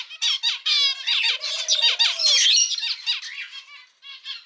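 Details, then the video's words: Pet male zebra finch pouring out rapid buzzy, harmonic syllables, while a soft low wavering tone runs beneath mid-phrase; the song fades toward the end. "キンカチョウのさえずり・鳴き声 集めました②｜個性的なオス達 かわいい鳥 Cute Zebra Finch Songs 🎵 sing sounds calls"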